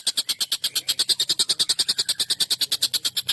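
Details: Agitated collared kingfisher calling long, sharp and harsh, used for training songbirds. Rapid grating kek notes come about seven per second in an even, continuous series.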